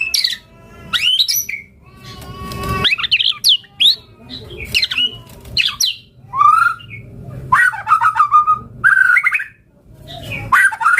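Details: Vigorous, richly varied White-rumped shama song: sharp high sweeps, harsh rattling notes, then repeated warbled phrases near the end, dense and fast with brief silences.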